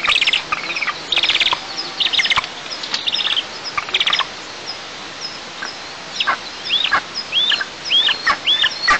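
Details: Nestling eagles filmed on 6 July 2024 at a monitored nest in southeast Tatarstan, objecting while the mother feeds alone: clustered shrill chirps, then a run of quick arched, rising-falling squeals toward the end.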